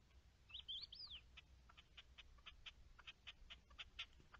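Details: Partridge calling in a clip dated 10-03-21: a few thin whistled, arching notes, then a steady run of short harsh clucking notes repeated about four times a second over quiet background hiss.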